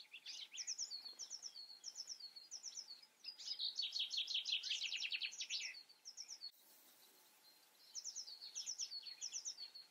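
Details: Goldfinch song: short twittering phrases repeated in quick bursts around a long, rapid, buzzy trill lasting over two seconds. Bright high notes then resume after a brief pause, with little background sound.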